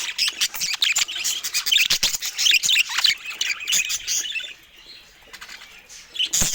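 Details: Pet budgerigars chirping while eating fruit: dense, high, scratchy chatter with rapid clicks and squeaks, easing off briefly before a final loud burst.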